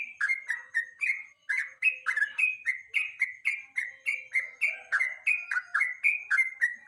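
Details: Evening lure song of a yellow-vented bulbul, used as a master recording for national songbird contests: a steady run of short, liquid, falling whistled notes delivered rapidly, with brief gaps between bursts.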